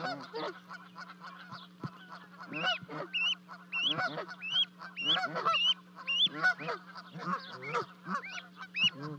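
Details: Canada geese at a 30-foot-high nest in Charlo, Montana, 12 May 2020, as two goslings leap down to their parents: faint chatter building into a series of clear arched honks, over a constant low hum.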